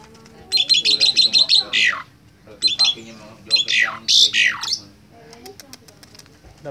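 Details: Young captive Asian pied starling learning to chatter (ngekek): bursts of harsh, rapidly repeated squawky notes and slurred descending calls in short runs, with a man talking nearby.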